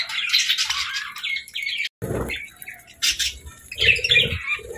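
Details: Happy pet budgies chirping: harsh squawky chirps and buzzy chatter, a brief silent gap near two seconds, then renewed sharp twitters and warbles.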